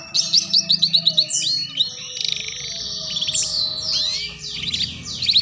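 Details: Lure song of a canary for teaching young birds the ngeriwik sound, opening with a quick series of bright, evenly spaced notes, then sweeping whistles and twittering slurs.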